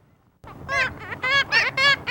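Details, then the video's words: A Black-legged Kittiwake gives its name-giving call, about five quick, nasal, rich-toned notes in a rising and falling 'kitti-waake' pattern, over a faint low rumble. "The common name of the blacklegged kittywake is derived from its distinctive calls which can be loosely interpreted as kitty wake kitty wake."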